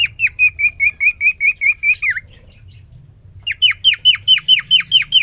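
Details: Male cockatiel singing to a female just placed in his cage after three days alone: a steady run of level whistled notes ending in a falling slur, a pause, then a fast series of downward-sweeping whistles.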